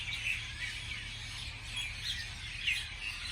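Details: A brief stretch of morning bird chatter, thin high chirps and a few brighter whistled notes standing out from a busy chorus, over a low continuous hum.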